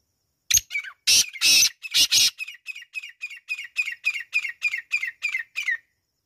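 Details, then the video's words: Black francolin (kala teetar) calling: a few loud, harsh, grating broadband notes, then a rapid series of about fifteen short, evenly spaced chirping notes that fade out over roughly four seconds. No other sounds. "Black Francolin voice | Black francolin Kala Teetar | Kala teetar ki awaz"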